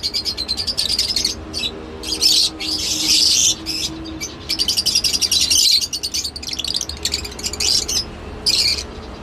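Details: Lovebirds calling in long runs of high, shrill chirps and squeaky twittering, with short gaps between bursts and a faint low hum beneath.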